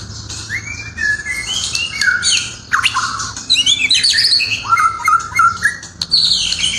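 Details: Melodious murai song: a rich jumble of whistles, slurred downward notes and scratchy chatter, delivered in rapid continuous bursts.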